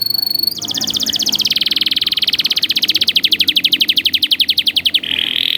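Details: Canary song played as a training recording for young canaries: a brief high whistled note, then a long rapid rolling trill of repeated notes, about twelve per second, ending in a steady buzzy trill.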